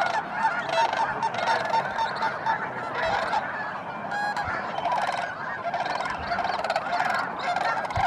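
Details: A large flock of snow geese flying out at their wintering site around Thanksgiving: a dense chorus of many overlapping nasal, high-pitched honks and yelps, continuous throughout with no pauses.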